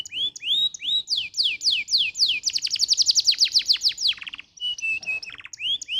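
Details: Canary song used as a tutor recording for young canaries: bright rising whistles give way to a fast rolling series of steep descending notes, about four per second, then short high chips and a brief pause.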